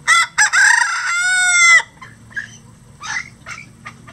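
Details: Rooster crowing on a farm flock of at least 20 roosters of standard and bantam breeds that crow all day; one loud, harsh, ringing cock-a-doodle-doo lasting nearly two seconds, rising then holding steady, followed by faint distant calls.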